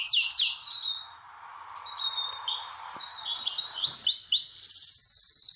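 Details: Breeding-room canary, with birds readied for mating, opening with two sharp falling swoops, then soft warbling, a few upward-curving whistles, and finally a rapid, steady high trill; faint chirps in the background.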